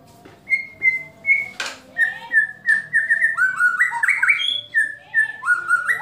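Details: Murai batu (white-rumped shama) song of kretekan and tembakan phrases meant to provoke rivals: clear whistled notes around 2k, rising and falling in quick succession, one sharp click, a faint low hum underneath.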